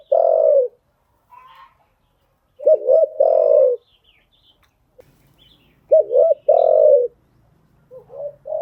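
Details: Spotted dove used as a decoy to train newly caught birds, giving phrases of a quick double coo then a long, slightly falling coo, repeated about every three seconds; faint chirps and a low hum in the background.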